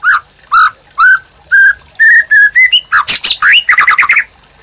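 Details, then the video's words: Captive white-rumped shama in vigorous song for baiting and tutoring other birds: slow, evenly spaced mellow whistles that speed up into quicker phrases, ending in harsh rasping notes and a fast rippling series. "MURAI BATU GACOR UNTUK PANCINGAN DAN MASTERAN"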